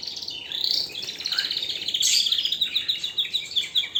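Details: Canary song: a bright warbling phrase that runs into a fast, even trill of repeated high notes, pulsing steadily over the last two seconds.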